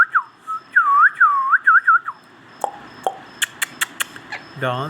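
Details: Pet ringneck parrot whistling a series of looping, dipping slurred notes at a steady pitch. Several sharp clicks and a brief rustle follow in a quiet room.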